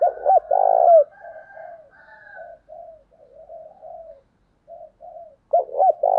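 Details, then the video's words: Decoy spotted dove calling wild doves: loud double coo and long trembling coo, followed by a run of softer lower coos and faint higher notes, then the loud phrase again. "Chim Cu Mồi Như con này anh em nào cũng muốn sở hữu, bổi rừng nghe ức chế mà về cội"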